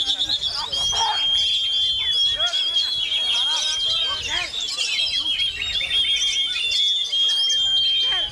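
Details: Oriental magpie-robin in strong wind, delivering a continuous run of quick scratchy notes, bright whistled slurs and twittering phrases without pause, over a constant high, thin background tone.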